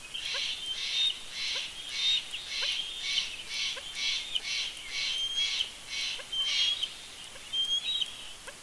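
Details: Bald eagle at its Big Bear nest in early morning: a run of high, chittering notes repeated about once a second over a steady dawn chorus of smaller birds.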